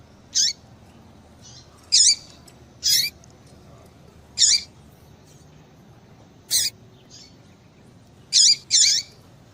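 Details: A female double-collared seedeater gives sharp, brief high chips at irregular intervals, about eight notes over ten seconds, with one close pair at the end. The call is used to provoke a male. The background is quiet.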